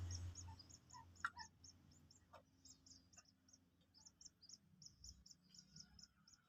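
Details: Two-day-old Common Moorhen chick being taught to eat pellet feed gives a long series of short, very high peeps in steady rhythm, with a few lower chirps and soft handling noises beneath.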